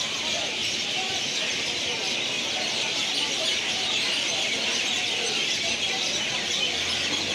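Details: Roost tree said to hold about a thousand mynas together with many other kinds of birds; a dense, unbroken wall of overlapping chirps and chatter, with no single voice standing out.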